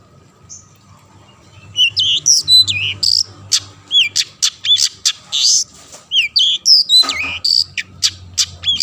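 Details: Long-tailed shrike song used to draw other shrikes into singing: after a quiet start, a fast, varied run of slurred whistles, downward-swooping notes and scratchy rasps, packed closely for several seconds over a faint low hum.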